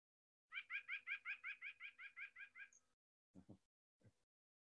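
White-breasted Nuthatch giving a quick run of about twelve nasal, laughing notes, evenly paced and fading. Two low thumps follow.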